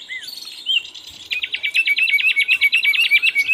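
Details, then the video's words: An Asian brown flycatcher in full song for bird training: two brief whistled slurs, then a rapid, even trill of clipped high notes repeated about five times a second to the end. "MASTERAN BURUNG SIKATAN LONDO GACOR"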